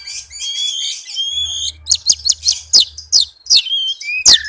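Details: Oriental magpie-robin (kacer) singing a fast, dense song, used as a lure to get a reluctant bird singing; high varied whistles and chattering trills, then sharp downslurred notes in quick series, with a faint low hum.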